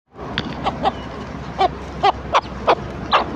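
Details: A hen clucking to her chicks at breakfast time: short, low clucks, about eight spaced over three seconds, against a steady low background hum.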